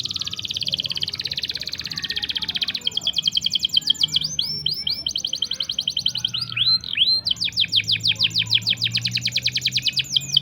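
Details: Canary song used as tutor and prompt for non-singing or young canaries: long buzzing rolls and rapid pulsed trills, alternating with swooping whistled phrases, continuous and high-pitched.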